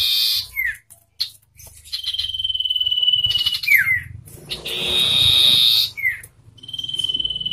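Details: Singing contest between a wild common iora and a hand-reared one. Buzzy outbursts alternate with long steady pulsed trills and sharp downward-slurred notes. A faint low hum runs underneath.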